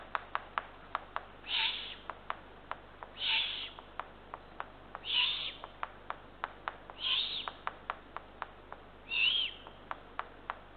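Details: Eurasian eagle-owl nest after midnight on 23 June 2023, an adult bringing two small rodents to the third chick. Five raspy hissing bursts about every two seconds, interleaved with many sharp, regular clicks.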